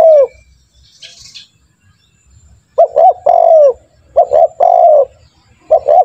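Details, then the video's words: A spotted dove calling vigorously, used as a training lure: after an opening falling coo and a quiet pause, cooing phrases resume. They are paired short notes and long coos, repeated three times, with a brief soft rustle early. "Pancingan burung tekukur gacor, melatih burung tekukur agar cepat bunyi"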